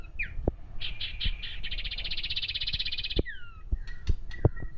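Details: Common iora giving a harsh chattering call to provoke a rival: a couple of short whistled notes, then a long buzzy, rattling chatter lasting over two seconds, followed by down-slurred whistles, with knocks and low background rumble.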